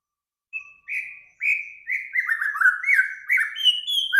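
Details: Bird in full song, recorded as a master for training cage birds: a run of clear whistled notes that start level, then break into rapid, varied, slurred phrases that drift downward and rise again.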